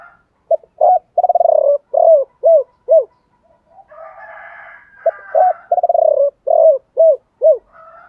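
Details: Spotted doves, cock and hen, singing to spur other doves: two phrases of soft hooting, each a short stutter, a rolling coo, then three descending clipped coos, with fainter cooing between.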